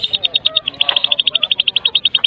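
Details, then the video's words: White-rumped shama (Medan murai batu), recording used as a lure to prompt other shamas to sing: a fast, even "kretekan" rattle of sharp high clicks, about ten per second, held steady throughout, with faint lower chirps in the background. "Kretekan MURAI BATU"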